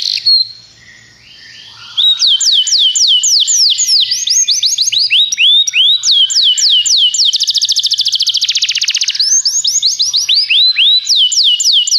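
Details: After two quieter seconds, a Belgian canary tutor bird bursts into vigorous song, with long strings of rapid down-slurred notes, a dense buzzy trill in the middle, and swooping phrases to the end.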